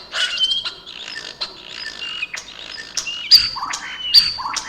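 A European starling sings a fast, rambling medley of clicks, rattles, buzzy chatter and thin sliding whistles, all from one bird in a continuous stream.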